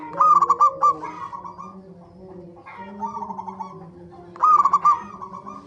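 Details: Zebra dove lure song for coaxing birds to sing: three separate phrases, each opening with sharp staccato coos that trail into a softer rolling trill, separated by quieter gaps with low background droning.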